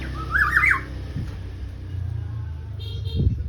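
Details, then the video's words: Black-naped oriole (kepodang) singing actively: one short, loud, rich fluted phrase with a slurred twist, followed by quiet and a steady low rumble like passing traffic. "Burung kepodang yang gacor"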